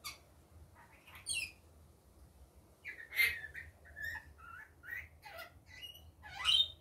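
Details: Rainbow lorikeet kept as a pet, by day: a series of short upward-sliding whistles and squeaky chirps, some buzzy, ending in a loud shrill rising squeal.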